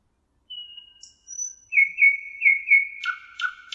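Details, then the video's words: Thrush nightingale song on the Emajõgi in Tartu, Estonia, 1 June 2018: long thin steady whistles, then a series of pulsing repeated notes and strong throaty phrases with clicks. "Ööbik Tartu emajõel 1.06.2018 - nightingale, Luscinia luscinia in Tartu Estonia"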